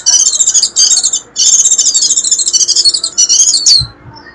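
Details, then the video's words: Warbling white-eye call for luring wild birds: nearly continuous high rapid twitter with a short break, ending in a sharp downward slurred note and faint low knocks. "Tiếng chim khuyên rít kéo bổi về cực hiệu quả"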